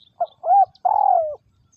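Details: Three-part coo of a captive spotted dove used as a ground decoy to lure wild doves, Vietnam 2022: a short hoot, a smooth arched note, and a long slowly sinking coo, in a quiet setting.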